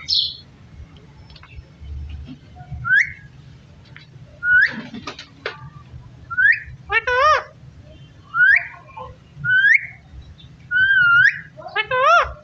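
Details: Pet parrot talking while eating tomato indoors: scattered short speech-like utterances and clear rising and wavering whistles, about ten bursts spaced a second or so apart, with low background hum.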